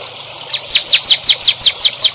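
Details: Songbird in a training recording for young songbirds, giving a rapid series of bright, downward-sweeping whistled notes, about five per second, after a quiet start; faint background hiss.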